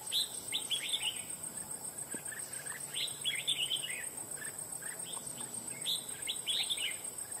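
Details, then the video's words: Wild-caught fighting red-whiskered bulbul with a very loud voice pours out rapid runs of clear, warbling chirps in bunched phrases, a shrill insect drone running steadily in the background. "Bổi Cực Lì Sau Gần 2 Tháng 2 Ae Thay Nhau Bẫy.Đã Về Đội/Ché Đè/Bung Xoè/Cực Mau Mỏ Giọng To Chuông"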